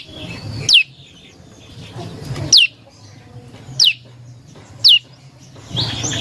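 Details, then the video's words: Prinia song used as a lure for other birds: single bright down-slurred notes about every one to two seconds, with quiet background hiss between them. "Suara Burung Prenjak Lumut | Pancingan Prenjak Lumut Isian Sekali Denger Langsung Nyaut"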